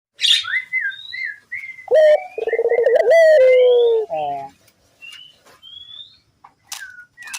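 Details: Barbary dove calling as a lure to set other doves calling, a low pulsed, throbbing coo that dips at the end, preceded and followed by thin high whistles and chirps from other small birds.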